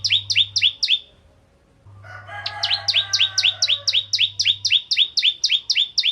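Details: Bar-winged prinia, the crystal ciblek, a strong singer used to provoke other prinias to sing: rapid high chirps repeated about four per second in runs, with a brief pause between bursts and a low steady hum beneath.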